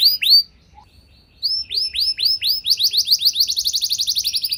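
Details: Canary singing, used to prompt other canaries to sing: two sharp downward-sweeping notes, a pause, then a rapid series of swept whistles speeding into a fast, even trill.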